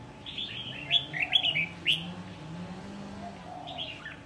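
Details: Year-old wild-caught red-whiskered bulbul, now good enough for contests. A quick burst of sharp, bright chirps and slurred whistles plays over a humming background, then fades into softer notes.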